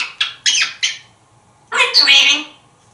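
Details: Talkative pet African grey parrot, male, hatched in 1997, kept indoors in a Texas home, sitting on a kitchen counter; three short harsh squawky notes, a pause, then a longer noisy rasping burst.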